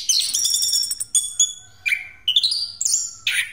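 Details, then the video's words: Orange-headed thrush singing a rolling pastol song used as a lure. It opens with a long high buzzy phrase, then gives short whistled notes that drop and rise, separated by brief pauses. "Anis Kembang Pastol Ngeroll Buat Pancingan"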